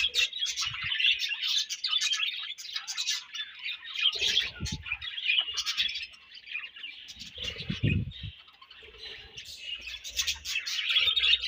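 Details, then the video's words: Several budgies chatter and chirp steadily while feeding and exchanging food. Rapid, scratchy, warbling notes run almost unbroken, with occasional low rustling and wing or cage noises. "Búdǵíéś Fúń & Ćhíŕṕíńǵ śőúńdś"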